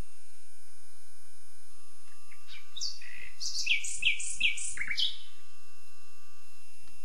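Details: Common nightingale song phrase after quiet: a few rising notes, then a cluster of bright, sharp, varied notes and three strong repeated chirps, ending in a high flourish before silence returns.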